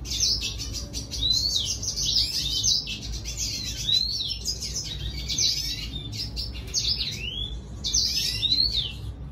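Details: Red siskin singing to lure a female: a dense, continuous run of high, rapid twittering notes and sweeping slurred whistles, with bright upward and downward glides clustered together and hardly a pause throughout.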